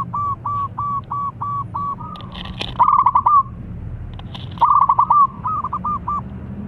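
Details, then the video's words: Zebra dove with a sought-after crystal voice, singing as a lure for birds slow to sing: a steady string of short coos, then two loud bursts of fast tumbling notes, with thin chirps from other birds. "Perkutut Idaman Selau Menjadi Incaran Suara Kristal Cocok Jadi Pancingan Yang Malas Bunyi"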